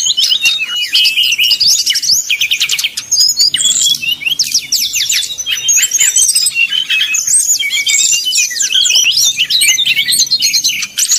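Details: Srdc bird giving a rapid 'nyuling' song meant to heat up rival birds. A continuous high medley of chattering trills, quick ladder-like note runs and twisting whistles that barely stops.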